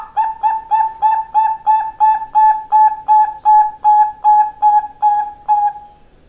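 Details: Perkutut, a Bangkok-strain zebra dove, delivers a long steady string of about fifteen soft, rounded coo notes at a regular rhythm near three per second, fading out at the end; no other clear sounds.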